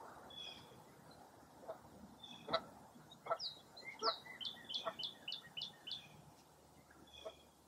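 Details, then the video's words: Birds on a foggy early April morning at Mirror Lake State Park, Baraboo, Wisconsin: a quick series of high down-slurred chirps after scattered low calls, over steady background hiss. "Birding By Ear at Mirror Lake State Park"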